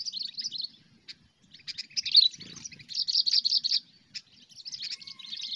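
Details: Sooty-headed bulbul performing cengkram-style song for luring: quick bursts of harsh, buzzy, high chatter broken by single sharp chips, with a faint thin whistle near the end and a short low rustle.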